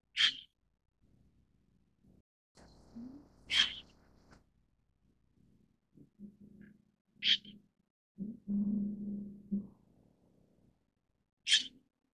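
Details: Four brief, rasping, breathy calls of a White-cheeked Starling (Sturnus cineraceus) spaced about four seconds apart, with low droning and muffled murmuring sounds filling the gaps between them.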